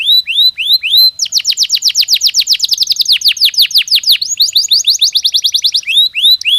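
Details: Natural canary singing meant to ready birds for mating season; bright swept whistles lead into a fast rolling trill of repeated descending notes, changing pace twice before ending on slower looping phrases.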